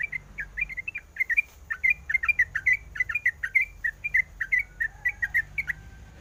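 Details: Calling female sooty-headed bulbul summoning the male, said to be in breeding condition: a long, busy sequence of short liquid whistled notes, paired and tripled, tumbling on rapidly with a brief pause near the middle.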